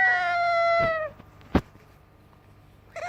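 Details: Yellow ringneck parakeet chick imitating a cat with a steady, slightly falling meow about one second long, then a single loud click and silence before another meow starts.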